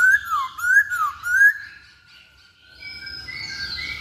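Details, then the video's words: Masked laughingthrush, a lure recording: three loud wavy whistled phrases rising and falling in quick succession, then a fainter stretch with thin high drawn-out whistles and low background rumble. "Pancingan Poksay Hongkong"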